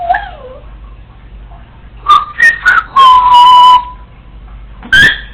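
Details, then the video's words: Female Congo African Grey parrot, a pet alone at home, talking to herself: a falling whistle, then loud clipped tonal whistles and a long steady whistled note, ending with a sharp rising squeal. "African Grey Parrot recorded talking to herself when no one was home!"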